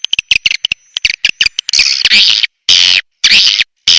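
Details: {'caption': 'Call played to attract swiftlets: quick series of high clicking chips, about two a second, giving way to long loud buzzy chattering bursts separated by short silences.'}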